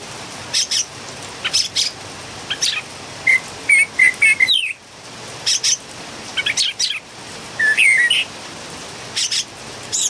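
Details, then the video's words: Philippine bulbul singing, a noisy bird: harsh, buzzy chirps mixed with short whistled notes that slur up and down, delivered in quick bursts with brief pauses between them. "PULANGA ma ingay talaga(singing bird)"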